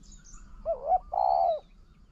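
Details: Cooing spotted dove, decoy bird facing a wild dove: a brief hooked note followed by a sustained, vibrating mid-pitched coo that drops at its end, with little else audible.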